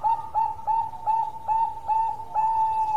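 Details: Local zebra dove in full voice, delivering a steady string of clear, hollow cooing notes, roughly three per second, each opening with a small scoop before holding level, with faint background hum.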